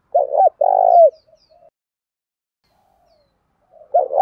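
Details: Spotted dove calling in a deep country-style voice, used to lure and stir up other males: a short broken double note followed by a long rolling coo, then faint trailing notes and a new phrase starting.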